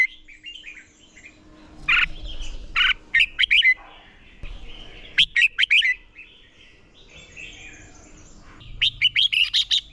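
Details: Competition-trained red-whiskered bulbul singing: scattered bright chirps and fast runs of sharp, repeated high notes in short bursts, with softer twittering between and a faint steady low hum.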